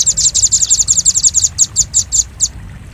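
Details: Velvet-fronted nuthatch calling as a lure for trapping birds. A dense, rapid string of high, bright chips slows into spaced notes, then stops just before the end.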